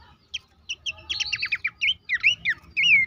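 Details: Horsfield's babbler song used as a lure for caged birds: a few isolated chirps, then a quick rattling run and looping whistled notes, ending in a loud downslurred whistle.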